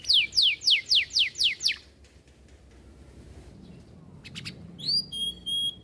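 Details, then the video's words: Canary singing a long, luxurious-style master song: rapid descending whistled sweeps repeated about four per second, then a pause and clear sustained whistles with sharp chirps. "Masteran Kenari Cengkok Mewah - Cuit Cuit Suara Kenari Gacor Panjang"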